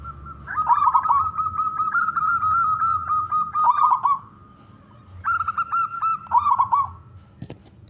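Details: Male zebra dove of local wild stock, kept to entice other doves into song, gives long phrases: rolling bubbly trills linked by steady level coos, a pause, then the pattern again, ending with a faint click.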